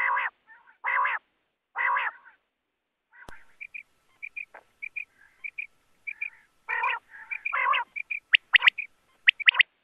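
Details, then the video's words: Common quail (batair): harsh, nasal grating bursts at first, then soft paired chirps, building to sharp, ringing three-note calls near the end. "Common Quail Sound"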